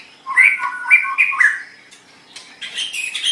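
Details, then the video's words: White-rumped shama song, a recording for training cage birds: rich whistled phrases near the middle of the range, some sliding and some steady, followed after a brief pause by higher chattering notes. "Suara Burung Murai Batu"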